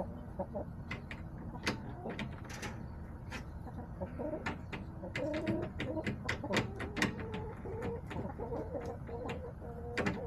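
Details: Hens in a backyard flock on October 10, 2024, giving soft, low, scattered clucks that grow busier midway. Frequent sharp clicks and knocks sound throughout.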